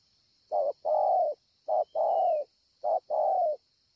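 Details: Coos of a spotted dove at Ngọc Hồi, Vietnam, 25 March 2020: three evenly spaced phrases, each a short low note then a longer, husky, gently descending one, with a soft high whistle and constant background hiss.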